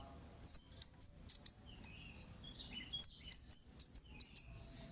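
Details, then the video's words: Kemade calls meant to make other birds reply. There are two quick bursts of five to seven shrill, whistled chirps, each note sliding downward, separated by a brief pause. "Suara Burung Cit Kemade GACOR--Pancingan Cit Keres Bahan Pasti NYAUT GACOR"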